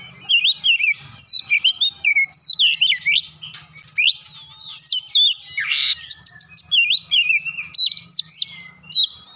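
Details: An oriental magpie-robin sings Java sparrow mimicry, a dense stream of sharp high chips and curling whistles, broken by one loud harsh rasp midway, with low background hum.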